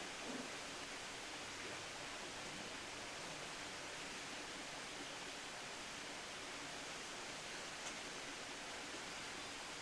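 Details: Even, unbroken rushing noise like a waterfall or stream fills the whole recording, with no animal call standing out.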